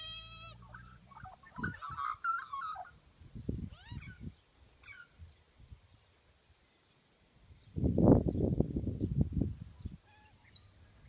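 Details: One adult and two juvenile Australian magpies: the juveniles give harsh, rasping begging squawks mixed with brief whistled and warbled adult notes; a loud, broad grating burst near the end, with low rumbling behind.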